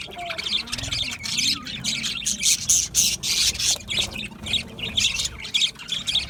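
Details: Many budgerigars in an aviary chatter and chirp together, loud scratchy bursts pulsing roughly twice a second, with a faint low whistled note early on.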